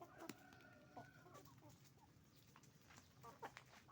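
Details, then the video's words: Roosters and hens on a chicken farm: a drawn-out harmonic call at the start, then scattered clucks over a low hum, with more clucks toward the end. "Moment of the sound of a chicken farm, roosters and hens making noise"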